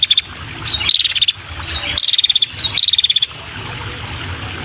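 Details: A female red-headed prinia calls to attract males, giving several short, dry, rattling trills of fast high pulses with brief gaps between them. Quieter chips sound in between, and the end of the recording is calmer.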